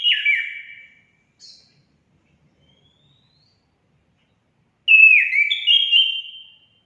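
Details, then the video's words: Orange-headed thrush song, used as a therapy track to stimulate caged birds to sing: two short bright whistled phrases with descending, warbling notes, separated by a few seconds of silence. "Langsung nyaut gacor anis kembang anda"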